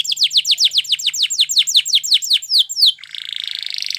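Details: Canary training song: a long run of loud descending whistled notes delivered rapidly, about four per second and accelerating, ending in a buzzy steady trill; faint low hum throughout.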